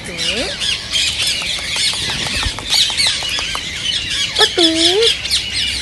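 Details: Rose-ringed parakeets, whose calls are meant to stimulate other parrots to sing and mate: dense, continuous high-pitched chattering and screeching from many birds, with lower, bending nasal calls at the start and again near the end.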